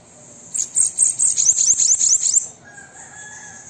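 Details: Bananaquit (sibite) song, used to stimulate a captive bird to sing: a fast burst of about ten very high, thin, downslurred notes lasting two seconds, then quiet background hiss with a faint lower tone.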